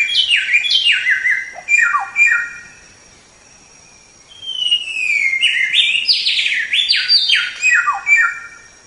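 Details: Tutor track of a singing white-rumped shama: fast cascading whistled phrases, a pause of about a second, then a clear rising note leading into more rich downward slurs.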